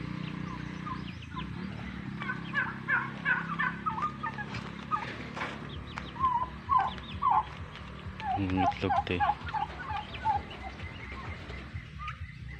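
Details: Male turkeys held apart from the hens on a farm repeat clusters of quick gobbling notes, coming in bursts that overlap, against a continuous low drone.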